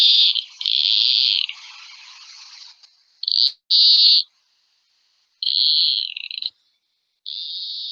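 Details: White-tipped Plantcutter (Phytotoma rutila), a Pampas bird, sings harsh, nasal, buzzy drawn-out notes in about five bursts over eight seconds. They are likened to a door opening on a rusty hinge, a complaining sound, and are heard where there are trees.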